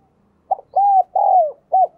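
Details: Spotted dove kept as a decoy, calling to attract wild birds: a short clipped note, then two long, drawn-out mellow coos, and a final brief coo, all clear and loud.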